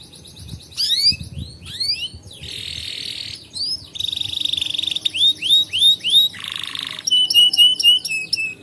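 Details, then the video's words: Canary song used for tutoring young birds and prompting canaries that have stopped singing: varied high phrases of rising sweeps, dense buzzy rolls, a steady shrill trill and short repeated whistled notes, one after another. "Kenari GACOR Masteran Burung Kenari PAUD Belajar Bunyi dan Pancingan Kenari Macet"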